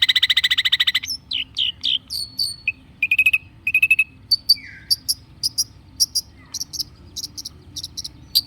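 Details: Energetic Long-tailed shrike lure song, varied and chattering: a buzzy rattling opening, slurred whistles, short trilled bursts, and a steady run of sharp, spaced chips.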